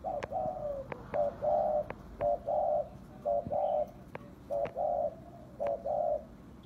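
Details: Spotted dove lure recording for calling in doves: low, soft, hollow cooing phrases of two or three notes, repeated steadily about once a second, with faint background hiss and occasional clicks.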